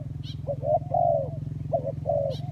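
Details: Spotted dove, 'kacuk' and 'kampung' types, lure recording: one phrase of soft coos, a short note followed by a longer drawn-out hooting note and two more, over a constant low droning hum.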